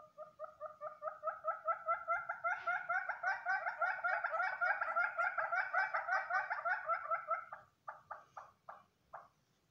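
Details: Red-billed hornbills in The Gambia give a long, rapid run of hollow clucking notes that builds as a second bird joins in, then slows to a few spaced final clucks.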